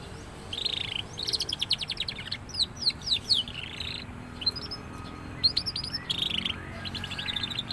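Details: Canary youngster starting to sing prolifically: bright buzzy trills, quick chirp series and rattling runs in several bursts separated by short gaps, over faint low hum.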